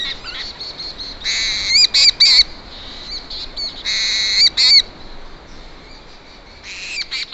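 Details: A seabird on Matushka Island, Alaska Maritime National Wildlife Refuge, recorded at night by an automated recorder in summer 2013, calls in bursts of high, harsh, chattering notes with brief pauses between runs over a quiet background.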